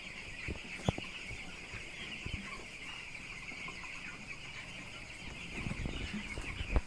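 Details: Continuous shrill peeping from a house full of day-12 broiler chicks on a poultry farm, steady throughout, over heavier low rumbling and occasional bumps.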